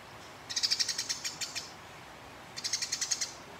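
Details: Two rapid bursts of sharp, rasping chirps from house sparrows in a fight, about eight notes each, separated by a short silence. The calls are said to provoke rival birds into calling.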